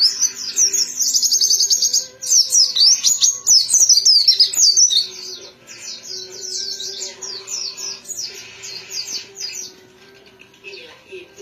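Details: A pleci white-eye, dakun type, pours out fast high chattering trills and slurred whistles in bursts, about two a second. It pauses briefly, then resumes softer, over a steady faint background hum.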